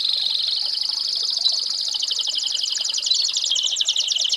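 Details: American Singer canary singing a steady, high, buzzy trill of rapid repeated notes that runs unbroken for the whole stretch, with no other sounds.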